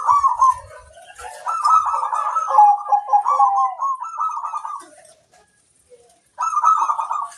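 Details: Energetic local zebra dove, whose master song is meant to set other doves answering: a long continuous run of bubbling, trilled coos with a steadier low note, a pause, then a fresh burst.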